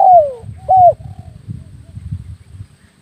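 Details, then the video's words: Spotted dove cooing as a hunting lure for air-rifle shooting: a loud falling coo, then a shorter arched coo, followed by a soft faint note and a low rumbling background. "SUARA PIKAT BURUNG TEKUKUR/DERKUKU"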